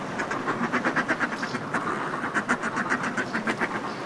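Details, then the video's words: Northern fulmars displaying in groups on cliff ledges, recorded close up, give steady, fast cackling pulses repeated in rolling sequences, with sea wash filling the background. "Northern Fulmar / Calls CU From Groups Displaying On Cliff Ledges"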